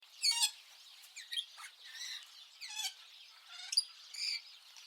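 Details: A budgerigar chatters in quick, scratchy chirps and squeaky warbled notes, high-pitched and constantly changing.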